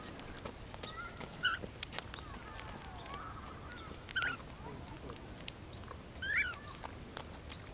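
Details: A pet lesser sulphur-crested cockatoo out on a hike in Ute Valley Park, Colorado Springs, gives three short, harsh squawks spaced a couple of seconds apart, over wind buffeting, clicks and a person speaking.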